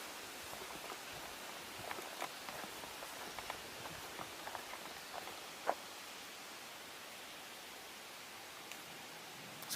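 Quiet outdoor rustling and faint scattered ticks and taps, like light debris or drops, with no animal voice.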